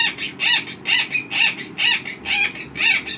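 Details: A 5-year-old female pet Monk (Quaker) parakeet at 4:42 am gives harsh, raspy "ahh ahh ahhk" squawks, about two a second; the owner suspects sex noises or perhaps an alarm-clock imitation.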